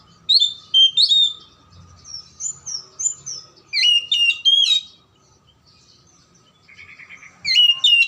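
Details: Oriental magpie-robin lure song for coaxing silent or lazy magpie-robins into singing. Bright, varied whistles and chattering phrases come in rapid bursts, then a brief lull, then buzzy notes and a renewed loud phrase. A faint steady hum runs throughout.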